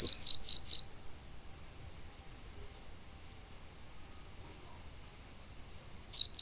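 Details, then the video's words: Pallas's bunting song fragment: a burst of high, rapid slurred notes at the start, a long quiet pause with low rumble, then the phrase begins again. "O canto da Escrevedeira da Tundra"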